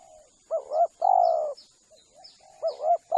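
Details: Spotted dove call played to lure spotted doves: a double wavering coo and a long steady coo, then soft quieter notes and the phrase starting again, with faint high thin chirps of small birds.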